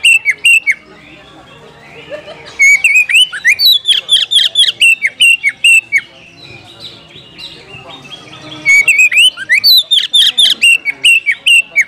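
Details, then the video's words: Oriental magpie-robin calling out to seek a rival to fight; strings of loud, sharp whistled notes sliding up and down, given in bursts with a faint murmur and soft background between phrases. "panggilan kacer mencari lawan tarung biar tambah ngotot buka ekor bongkar materi full emosi"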